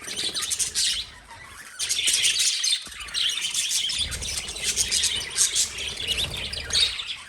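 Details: Lovebirds give steady, shrill, twittering chirps in overlapping bursts, almost without pause, with a soft low rumble in the background.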